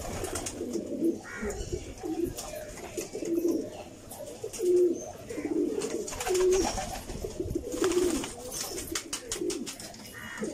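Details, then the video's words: Several pigeons cooing in low, soft, throaty rolls, overlapping every second or so, with faint clicks and shuffling in the background. "Pigeons sound"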